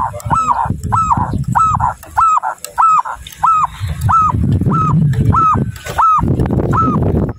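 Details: A local zebra dove in breeding excitement repeats short, hoarse, arched cooing notes about every two-thirds of a second, over a steady low rumble.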